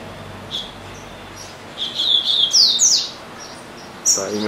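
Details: Double-collared seedeater kept as a caged pet that sings all day, giving a short burst of high, bright slurred whistles midway through, with faint chirps before and a human voice starting near the end.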